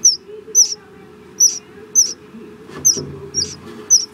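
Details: Presumed swallow, identity uncertain: short, very high, thin chirps with a quick downward slur, given singly or in close pairs about every half second, over a low steady background hum.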